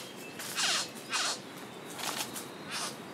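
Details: Male satin bowerbird at O'Reilly's Rainforest Retreat, holding a small blue object in his bill, gives four harsh, buzzy rasping notes directed at a female that came down, brief and unevenly spaced over about three seconds; quiet forest background.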